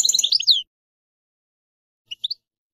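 A European goldfinch gives a quick, bright burst of tinkling twitters, then after a pause adds three short high chirps.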